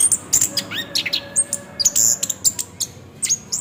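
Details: Orange-headed thrush singing in 'ngeroll' style to coax the bird into song. Short, shrill whistled notes and crisp chips repeat in quick succession over faint steady background hiss.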